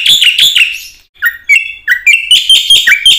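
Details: Black-winged myna song in the 'gacor full isian' style, used as a training lure for other mynas. Shrill notes are followed by a brief pause, then a rising series of clear whistles and sharp chips.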